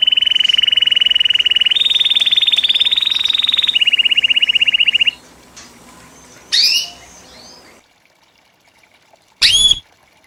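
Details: White Belgian canary in post-moult training song, classic 'campainha' style: a long rapid high trill that steps up in pitch and back down, followed by pauses and two sharp rising whistled notes.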